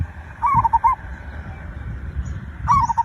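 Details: Zebra dove lure song, used to prompt other birds to sing quickly: a short phrase of staccato, hooked cooing notes, then a pause and the phrase again near the end, with low rumbling background.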